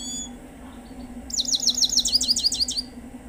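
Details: A Himalayan goldfinch sings a quick, rippling series of high, liquid twitters lasting about one and a half seconds after a brief quiet start, with a low hum underneath.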